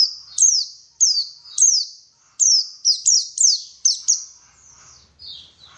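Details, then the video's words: White-eye (pleci) singing, used as a lure recording to get caged birds singing keenly: a run of about ten high, sharp notes that each slide downward, given in quick irregular bursts, fading to softer notes at the end. "PANCINGAN BURUNG PLECI SUPAYA GACOR"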